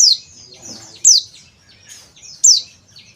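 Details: Male oriental white-eye of the Bali dakun type, used as a lure, giving loud high descending notes roughly every 1.2 seconds with soft thin trills between.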